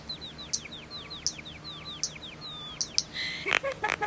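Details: Common starling song: a run of repeated descending whistled slurs, about ten in a row, interspersed with sharp high clicks, then buzzy rattling notes near the end over faint low background hum.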